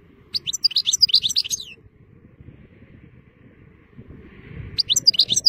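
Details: European goldfinch singing in nice weather: two bursts of quick, high, liquid twittering notes, the first lasting over a second, then a pause with low background rumble before a second twittering run.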